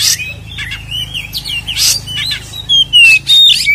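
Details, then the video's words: Oriental magpie-robin in full vigorous fighting-style song, used as a lure to provoke other magpie-robins into agitation: loud, varied whistled phrases with rising and falling slurs and sharp high notes in rapid succession. "SUARA BURUNG Kacer gacor isian NGEPLONG TARUNG ini paling AMPUH buat PANCINGAN KACER agar EMOSI"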